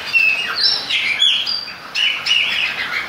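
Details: During rain, a chopi blackbird gives loud, bright whistles and sharp slurred notes in quick succession against constant rain noise.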